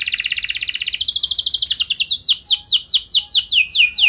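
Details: Canary singing a lure song for other canaries: a rapid high trill that gives way to slower, sweeping downslurred notes repeated about three times a second.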